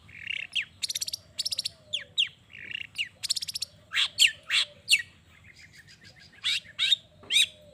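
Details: Long-tailed shrike song used as a lure to provoke other shrikes into answering: a varied medley of harsh buzzy bursts, rapid rattling trills and sharp rising whistles in short phrases, with quieter low whistled notes beneath.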